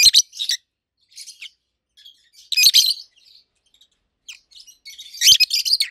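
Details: Two adult roseicollis lovebirds, opaline colour forms, chirping loudly: clusters of shrill, harsh chirps roughly every two to three seconds, interspersed with softer twittering notes.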